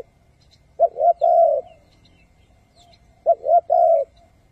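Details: Spotted dove used as a decoy to lure wild doves into traps, calling in the thúc and gù styles. Two identical phrases, each two short soft coos followed by one long, drawn-out coo.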